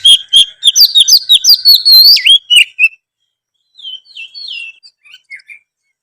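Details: Lively oriental magpie-robin song meant to draw a response from birds that sing little: a dense run of bright whistles and clicks, a pause, then a softer burst of slurred whistled notes.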